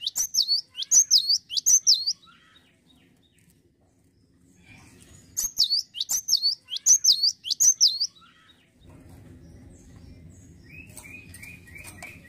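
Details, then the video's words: Cinereous tit in full song, delivering bursts of four high, sweet, down-sliding double whistles roughly every second, a pause, another burst of four, then softer repeated chirps over a low rumble. "GELATIK BATU LAGI GACOR"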